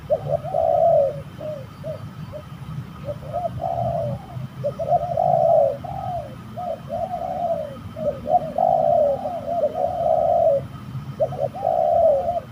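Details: During bird trapping in an eerie location, a fighting spotted dove keeps cooing: repeated low phrases of short clipped notes and longer burry coos in a steady, almost unbroken series with faint background rumble.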